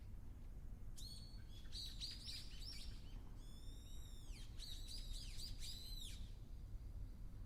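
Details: A Ruddy Kingfisher on Ishigaki Island, newly arrived for the season, its first call heard on 31 March: a run of high, sharply falling notes, several quick series over about five seconds, above a steady low rumble.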